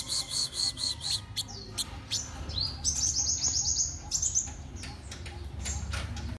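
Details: Black-throated sunbird in morning song: thin, high chip notes, then a rapid, even, high trill lasting about a second, followed by scattered squeaky chirps over low ambient rumble.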